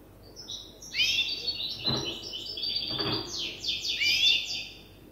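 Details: Young European goldfinch hybrid still learning its song from an older hybrid: soft, continuous twittering with tinkling high notes and short buzzy phrases, two dull thuds in the background.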